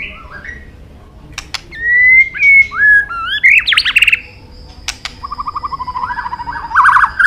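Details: White-rumped shama training song with clicks and long varied phrases: sharp clicks, rising whistled notes, a wavering warble, then a fast string of repeated chattering notes.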